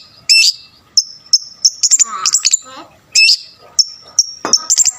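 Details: Long-tailed shrike singing energetically with a full mix of borrowed phrases, meant to provoke rival shrikes; short high whistled notes separated by brief gaps, with a scratchy rattling passage in the middle.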